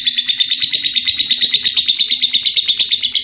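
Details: Lovebird in strong voice giving a long unbroken chatter: fast, evenly pulsed, harsh high notes running steadily without pause, with a faint low hum beneath.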